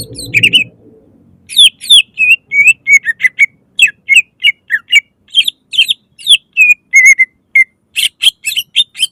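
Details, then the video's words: Loud greater green leafbird song in the 'nembak' style, meant to trigger singing in other leafbirds: a brief low thump, then a steady stream of clear, sharp, slurred whistles and chirps, ending in harsh rapid notes. "Pancingan suara lantang cucak ijo gacor full nembak langsung cepat buka paruh"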